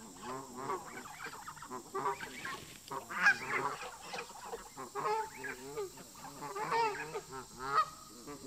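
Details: Local geese in a park, tense with migrating visitors, calling in a dense overlapping chorus of nasal honks and harsh cackles, steady high hiss in the background.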